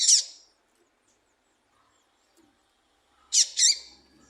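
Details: Female papa-capim seedeater call, used to excite and provoke males for song contests: a single short, high chirp, a pause of about three seconds, then a quick pair.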